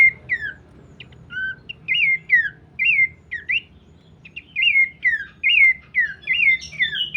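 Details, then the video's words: Abbott's babbler singing a series of short, bright whistled phrases. Each phrase slurs up and then down, repeated about every half second with brief pauses. Faint low background hum. "pelanduk semak birds"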